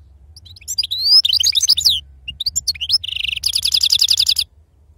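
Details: European goldfinch, authentic wild-type line, singing in the Sarfati manner: a high rising whistle and jumbled twitters, a pause, a short nasal buzz, then a fast tinkling trill of evenly spaced notes, low hum beneath.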